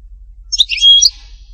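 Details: European goldfinch, in the song style called htatba, from Tipaza: one short phrase of bright twittering notes with a brief clear whistle in the middle, high-pitched and quick, against a quiet background.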